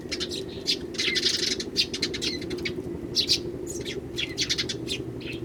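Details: Many wild Eurasian tree sparrows visiting in early January, joined by one starling. Continuous lively chirping, short bright notes tumbling over each other in quick succession, with a persistent low hum underneath.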